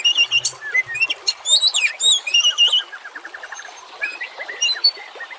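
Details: Singing Oriental magpie-robin used as a lure: fast, jumbled whistles and chips, then a quick dry trill of repeated notes, with a constant hiss of running water.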